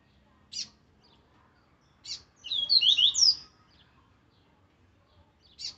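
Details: Captive-style Rusty-collared Seedeater (Coleiro) delivering strong, aggressive territorial-style song: a high, rapid burst of sweet slurred whistles, with a few short sharp chips before and after.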